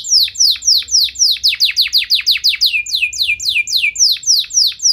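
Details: Singing canary, used to excite other canaries into singing: a run of loud descending whistled notes repeated about four times a second, sharp and clear against quiet background.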